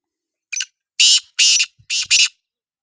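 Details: Black francolin delivering one grating phrase: a short lead-in note, two long scratchy notes, then a closely spaced final pair, all harsh and buzzy.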